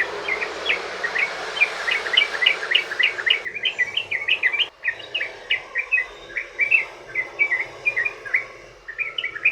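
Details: Yellow-vented bulbul in long 'ropel' style song, used as a lure to make other bulbuls sing: rapid run of short bubbly chirped notes, sometimes doubled, over a steady high hiss, with a brief break in the middle.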